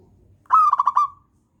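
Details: Zebra dove, a local bird used as a master to lure others into singing, gives one short phrase of four or five quick staccato coo pulses that fade out.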